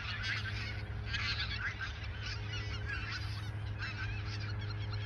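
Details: Autumn geese at the Ochsenmoor nature reserve in 2022, days before their southward migration, call in a busy overlapping chorus of nasal honks, with a constant low hum beneath.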